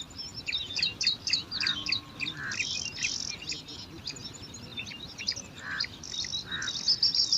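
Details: Five bar-winged prinia chicks competing for food at a nest in alang-alang grass: a dense stream of high, thin chirps and squeaks, several voices overlapping, with occasional short lower, buzzy notes.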